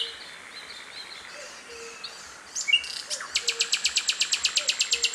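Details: Wild sikatan londo flycatcher: soft scattered chirps at first, then a bright burst and a run of sharp high ticking notes repeated steadily, nearly three per second, with a faint low whistle underneath.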